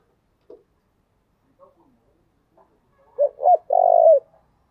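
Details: Lure spotted dove giving thúc, gù and gáy gọi calls: after a few faint ticks, two short low hooked coos lead into a long, level, purring coo.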